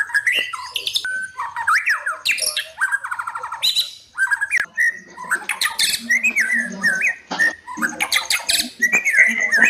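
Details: White-rumped shama lure song meant to provoke rivals: dense, fast mix of whistled slurs, squawky notes and rattling bursts, delivered nearly without pause in loud varied phrases.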